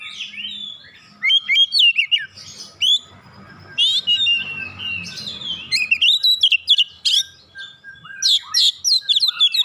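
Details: Caged oriental magpie-robin, warmed up and singing with open beak: long varied sequence of fast whistles, sharp chirps and downslurred notes, dense bursts separated by short pauses, faint low background rumble midway.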